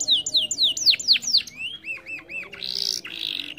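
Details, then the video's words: Canary delivering a short run of loud downslurred whistles, then a few lower looping notes and two harsh buzzy bursts. "PANCING KENARI MALAS BUNYI DENGAN INI"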